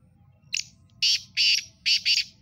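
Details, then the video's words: A Sindhi black francolin (kala tetar) gives a loud, harsh, grating call: a short opening note, then three rasping bursts, a pause, and two more close together. "Sindhi Kala Tetar ki Awaz"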